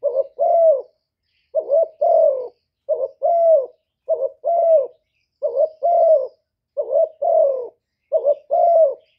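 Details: Decoy spotted dove cooing in the 'gáy gù' style used to stir up other doves: about seven low, hollow two-part coo phrases, a short note then a longer slurred one, repeated roughly every 1.3 seconds over a silent background.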